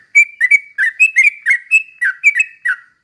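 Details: Energetic Yellow-vented bulbul song in the slow ropel manner, a lure to set other trucuk birds singing; rapid bright whistled chirps, each slurring down then leveling, packed closely in a continuous run.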